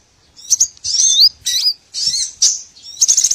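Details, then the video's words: Small birds calling on a trapping lure: several high, thin twittering phrases with wavering whistled notes, broken by short gaps, a few quiet clicks between them. "MP3 BURCIL COCOK UNTUK PIKAT SEGALA JENIS BURUNG KECIL"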